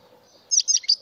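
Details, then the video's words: A mutation European goldfinch gives a brief burst of high, tinkling twitter notes after half a second of quiet with faint low background hum. "مقنين طفرة ويداني ناااااار !"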